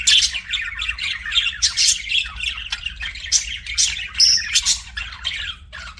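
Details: Pet budgies chattering: rapid scratchy chirps and bursts of harsh squawks, with a few thin whistled notes rising above, the calls coming in uneven clusters over a low steady hum.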